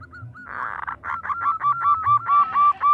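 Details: A female zebra dove calls for a male with a steady series of about nine short mellow whistled coos at an even pitch. A brief rough rustle sounds near the start.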